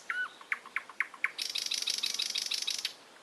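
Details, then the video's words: Songbird: a few sharp, separate high notes, then a fast, dry, rattling trill lasting about a second and a half. The background is quiet. "голоса птиц"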